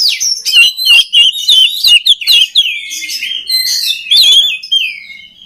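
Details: Singing oriental magpie-robin, used to train other magpie-robins: quick clipped whistles and harsh notes, then a longer sustained whistled phrase and a final run of chattering notes.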